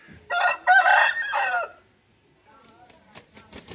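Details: Aseel rooster crows loudly in a hoarse, choppy phrase about one and a half seconds long that falls away at the end, followed by quiet and a few sharp clicks.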